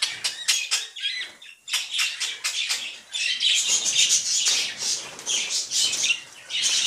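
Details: Tame budgerigars in a colony chattering together, a dense stream of scratchy, warbling high chirps in bursts, with brief quieter gaps between the louder runs.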